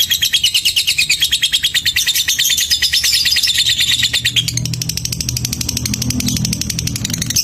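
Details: Lovebird, described as a fighter under a mental test, delivering its ticking song ('ngetik'): a fast, steady stream of high, sharp chirps repeated about three times a second, shifting slightly lower partway through, over a faint low hum.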